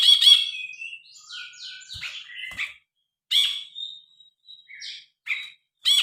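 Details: Grey-cheeked bulbul singing actively, original sound recorded on a phone for tutoring cage birds. A loud, harsh burst opens, then a run of short descending and rising whistled slurs with brief gaps, and a few scattered sharp notes near the end.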